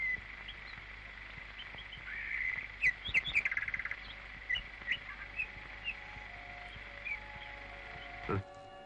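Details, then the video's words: Common Nightingale singing in a woodland thicket on a Spanish night, its song marking out its territory: scattered short chirps and a quick run of sharp repeated notes, softer single notes following, over a steady high whining tone. "El ruiseñor alegraba con su voz, con esa pequeña voz que demarcaba un territorio en medio del soto de la floresta, con esa voz maravillosa."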